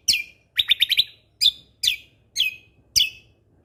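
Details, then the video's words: Lesser green leafbird in lively 'tembakan' song, recorded as a tutor for other birds: a quick triple chip followed by five loud, piercing downslurred whistles roughly half a second apart. "Cucak Kombo Gacor Mentalan Pas Untuk Masteran Burung Isian Tembakan"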